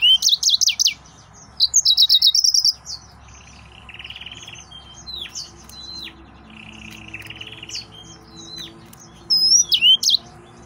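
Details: Excited male yellow-fronted canary in full song: quick high trills and sharp whistled swoops, plus lower buzzy rattling stretches in the middle, ending with another burst of rapid looping notes.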